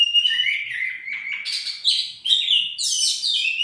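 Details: Oriental magpie-robin warming up its song: a continuous high, varied warble of sliding whistles and buzzy, scratchy phrases, climbing from a level whistled line into shrill, bright trills with barely a pause.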